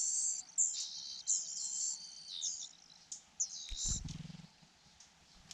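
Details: Hungry Fujian niltava nestlings being fed by the mother give strained, very high, raspy begging notes in rapid uneven bursts, broken by a low thud and rustle partway through before the calls fade.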